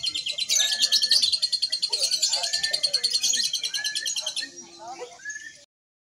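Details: Lovebird at a Mahadewa Single Fighter training contest in Indonesia, giving a sustained, very fast, high-pitched trill of rapidly pulsed notes for about four seconds that then fades and stops, with people talking and other birds chirping behind.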